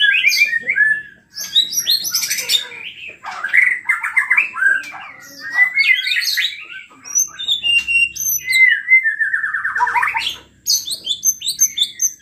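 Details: Agitated, actively singing white-rumped shama pouring out its repertoire as a lure to provoke other shamas: rapid varied phrases of whistles, sharp upslurs and buzzy chatter, very high squeaky notes near the end.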